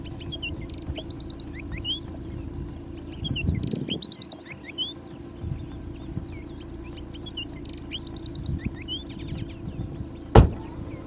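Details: Striated fieldwren in Victoria, southeastern Australia, sings a complex, rapid song of high, thin whistles, trills and sweeping notes, over steady low rumble and a sharp knock near the end.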